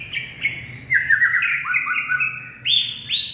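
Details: White-rumped shama singing in late afternoon, likely caged, on 18 February 2024: clear whistled phrases of sliding notes, stepping down then rising again in bright repeated strokes, with a faint low hum beneath.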